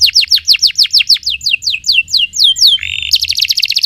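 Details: Canary song with a string of rapid downward-slurred whistles that gradually slow, followed by a short rasping note and a dense, high rolling trill.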